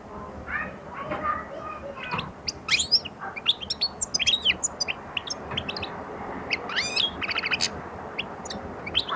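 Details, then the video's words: A European goldfinch opening its song and attack with rapid bright twitters, buzzy trills and high chirps, growing busier through the middle and continuing to the end. "حسون في بداية الغناء والهجوم"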